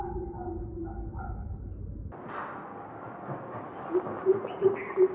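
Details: Southern coucal, seen from a terrace after it attacked a sunbird nest with week-old chicks in the backyard, gives four deep, hollow hoots about a third of a second apart after a low hum and background noise.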